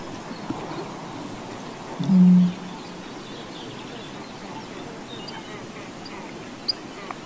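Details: A Eurasian bittern gives a single deep, hollow, foghorn-like boom about half a second long over a steady low hiss; its call is suspected to lie behind local "gates of hell" legends in a foggy region.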